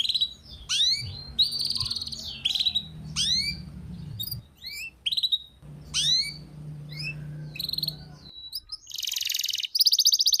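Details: Canary master song for training, with a complete fill-in of luxurious phrasing: bright sweeping whistles that dip and rise, quick repeated notes and, near the end, dense buzzy trills, over a faint low hum.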